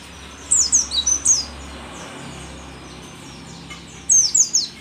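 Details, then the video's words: Old mountain white-eye from Merapi, where it is called rare, delivers two short bursts of four or five very high, sharp descending chirps separated by quiet background hiss. "pleci merapi tak kan pernah ingkar janji, tua tua gacor"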